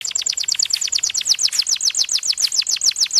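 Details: Canary singing: a fast, steady trill of bright downward-sweeping notes, about two per second-fraction, high-pitched and sustained for several seconds with faint background hiss.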